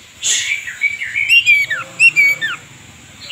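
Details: Oriental magpie-robin in strong song with its tail open: a smooth wavering whistle leading into bright, steeply falling slurred notes, over a thin continuous high hum.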